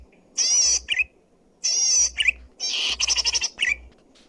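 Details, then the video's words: Zitting cisticola used for luring or training, loud and clear: two harsh buzzy wavering phrases, each ending in a lower twangy chirp, then a rapid ticking burst and a final chirp. "suara burung cici padi gacor!!!! cocok untuk pikat atau masteran//suara keras dan jernih,!!!"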